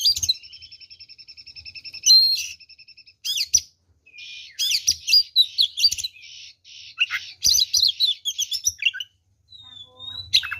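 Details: Oriental magpie-robin singing to anger rival magpie-robins, opening with a steady rapid series of clicking notes, then loud sharp bursts and a string of buzzy repeated phrases, ending with a thin whistle.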